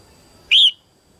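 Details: Single clear rising whistle from a female red-whiskered bulbul, singing early in the 2022 season to stimulate males; short and loud against a quiet background.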